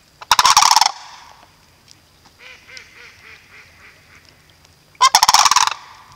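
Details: Sandhill cranes at Riefel bird sanctuary: two loud, harsh rolling rattles, each lasting under a second, open and close the clip. Between them comes a quiet series of softer, throaty notes repeated about twice a second.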